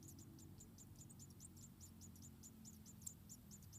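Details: About four white-headed tit nestlings in Indonesia beg for food from their mother, giving a steady series of short, piercing, downward-bending chirps, roughly four a second, against low humming noise.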